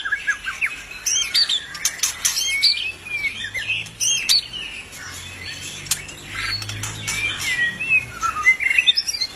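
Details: An albino white-rumped shama singing actively, mixing sharp clicks and high squeaky notes with whistled warbles, followed by a quieter spell and a closing run of twittering phrases.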